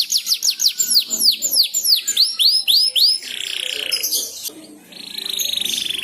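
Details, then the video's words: Learning young canary answering another canary's song, ngeriwik style: about ten loud repeated downslurred whistles, then a dense buzzy warble and a fast trill. "Suara Burung Kenari Belajar Ngeriwik, manjur mantap kena pancingan suara kenari lain"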